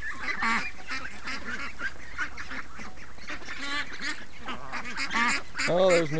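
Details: Free-range ducks call in the morning: irregular rasping quacks from many birds overlap, about ninety calls a minute. A louder, deeper honk comes near the end.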